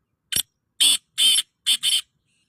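A black francolin gives a harsh, grating phrase: a short click, then four rasping notes over about a second, the last two run together. Nothing else is heard.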